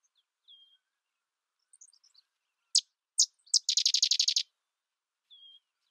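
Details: Sedge wren song: three well-spaced dry, high chips lead into a rapid, even chatter of about ten staccato notes, framed by a few soft thin whistles before and after.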